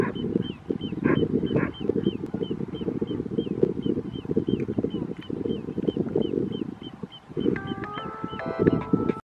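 A Kentish plover gives short, high 'pit' notes, about three a second, over steady wind or surf rumble; a droning tonal sound joins near the end.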